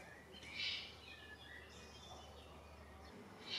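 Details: A young Eurasian eagle-owl perched on a parking lot sign in Dannenberg, Germany, on 17 June 2024, gives a harsh, hissing rasp, then a second rasp at the end, over a faint low hum.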